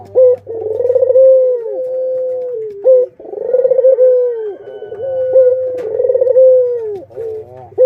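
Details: Barbary doves, adults with their chicks, kept as pets: deep cooing phrases that open with a rapid stuttering pulse and then settle into a long, steady, mellow tone, repeated about every three seconds, with a faint low hum behind.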